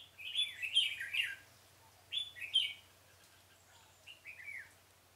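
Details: Decoy red-whiskered bulbul singing during trapping of wild birds in a pomelo garden, 25 October 2017: two bright, warbled phrases of quick rising and falling notes, a short pause between them, then a softer third phrase.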